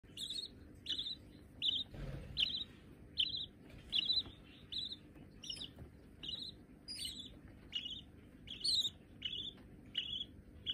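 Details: Budgerigar chicks, both white and already hand-tame, giving harsh, buzzy chirps about once a second in an irregular series, some notes bending upward; a brief low thump midway through.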